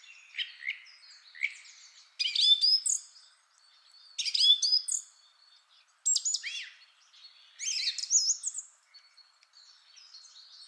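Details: Rich song of a male Song Thrush, first of three singers: loud, varied phrases with bright slurred whistles and sharp notes, separated by clear pauses and alternating with quieter passages.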